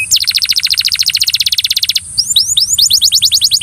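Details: Belgian canary song meant to coax another canary to sing: a two-second fast rattle of repeated high notes, followed by rising hooked whistles repeated at a quick even pace.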